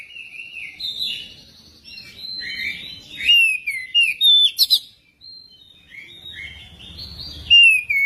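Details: Magpie-robin song used to get magpie-robins singing quickly: varied whistled phrases, then a loud sequence of falling fluty notes and chips, a short break, and more warbling ending with a bright whistle.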